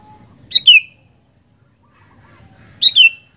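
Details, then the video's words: Sooty-headed bulbul in active song: two identical double-noted phrases, each a quick rising chirp falling into a downward slur, separated by two seconds of near silence with faint low rumble. "Burung Kutilang Gacor Doooor"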